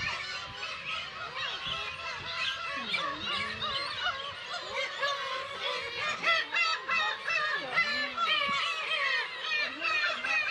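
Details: Kabushima in Hachinohe, Japan, hosts about 30,000 nesting Black-tailed gulls with chicks on 10 June 2020, recorded on a GoPro HERO8: an unbroken chorus of quick, overlapping mewing calls, with a few lower swooping cries close by.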